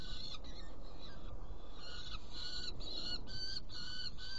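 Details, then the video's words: Saker falcon, Hungary, 16 June 2018, at prey delivery and feeding of two young: drawn-out, harsh screeching notes, some longer and wavering, given in an irregular series over low rumbling background noise. "Saker Falcon Hungary 2018-06-16 Prey delivery and feeding two Young ones"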